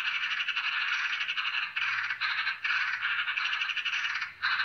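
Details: Eurasian magpie (Pica pica) giving its chatter call: a harsh, dry rattling chatter in rapid bursts, broken by a few brief pauses.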